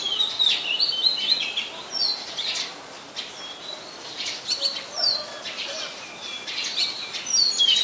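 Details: Oriental magpie-robin in Ubon Ratchathani, Thailand, December 2020, giving sharp high chirps and short whistles in scattered clusters, rather varied, with a quieter lower note midway.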